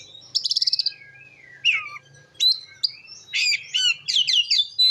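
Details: An Oriental magpie-robin sings loudly in the ngeplong style to stir up other magpie-robins: an opening rapid buzzy trill, then drawn whistles, falling slurs and a fast string of chirpy notes.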